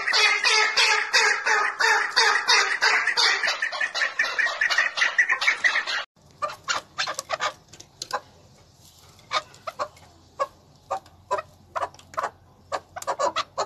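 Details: Male chukar partridge singing in Tajikistan in 2020, a dense, loud run of rhythmic chuk notes for six seconds, then sparser scattered bursts of calls over quiet background.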